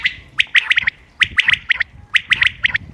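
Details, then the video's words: Common quail, 28 May 2025, recorded for hunting: three quick phrases of several sharp, bright clipped notes each, spaced roughly 0.8 seconds apart. "quail bird sounds common quail bird sounds بٹیر کی آواز شکار کیلئے quail bird bater"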